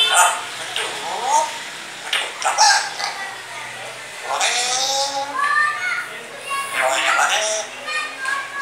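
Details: A grey parrot, just after its bath, mimics human speech in short voice-like phrases with rising and falling tones, mixed with harsh cough-like bursts.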